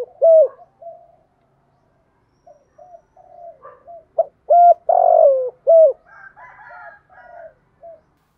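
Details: Female spotted dove used as a decoy, calling to provoke males: soft low coos, then a louder run of deep hollow notes in quick succession, trailing into quieter, slightly higher coos, with no other sounds.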